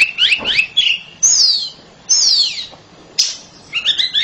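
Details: Caged oriental magpie-robin singing loudly: fast chattering warbles, then long sweeping descending whistles separated by short pauses, a sharp note and a final twittering phrase.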